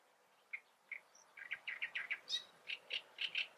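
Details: Great reed warbler from the Eifel: a few spaced croaking notes speed up into a rapid run of loud, grating, repeated syllables.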